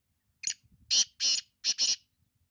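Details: Black francolin in Sindh, Pakistan, giving a loud, harsh, rasping call of five grating notes over about two seconds, the last two run close together, in a quiet background.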